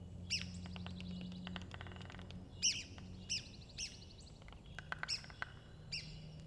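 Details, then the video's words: A Red-cockaded woodpecker, endemic to the southeastern United States, forages with dry, scattered pecking taps mixed with sharp, squeaky chirps repeated every second or so over a low, steady hum. "Red-cockaded woodpecker bird foraging pecking with sound"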